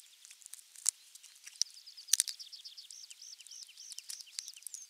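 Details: Osprey calling at the nest on 23 June 2020, nest camera 3, around a half-kilo crucian carp brought as morning fish; sharp clicks, then a quick run of high, looping whistled notes, about two per second.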